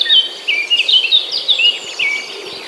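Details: Birds among green corn plants and palm trees chirping loudly: bright, quick, downslurred chirps and whistled notes in rapid bursts, several overlapping, with a continuous high insect buzz behind them.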